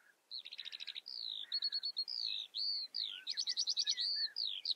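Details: Skylark, Eurasian, pouring out a busy song of quick rattling trills alternating with clear descending whistles, high-pitched and almost unbroken for several seconds.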